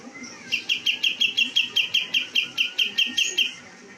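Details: Cream-vented bulbul kept as a master bird for songbird contests, giving a steady series of about fourteen sharp, clear notes at an even pitch, roughly five per second, over a noisy background with faint voices.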